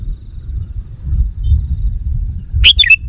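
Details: Sooty-headed bulbul lure call aimed at wild bulbuls: after a stretch of low rumble and a faint high whine, one quick bubbly phrase of three slurred, liquid notes closes the recording.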